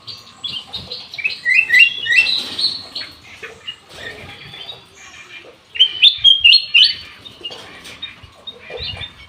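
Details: Black-naped oriole singing vigorously at an aviary, delivering bursts of quick, high, chattering and slurred notes in two loud phrases separated by a quieter stretch, with faint background rustling.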